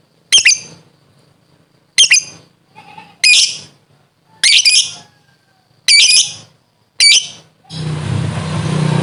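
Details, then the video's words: Lovebird, described as a proven chatty fighter bird, gives six loud, harsh, high squawking bursts at roughly one-second intervals, each buzzy and rasping, followed by a sudden rush of broadband noise at the end. "Masteran Petarung Terbukti Cerewet Love Bird √√ ngekek panjang"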